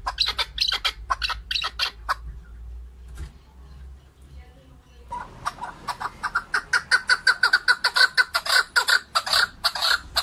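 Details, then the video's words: Male chukar partridge (keklik) singing, 2021: after a noisy, squawky opening and a short lull, a steady run of clucking chuk notes speeds into a regular, repeated rhythm. "Голос Куропатка как поёт Горная Куропатка Кеклик 2021 Садои Нар кабки Шикори 2021 Keklik Partridge"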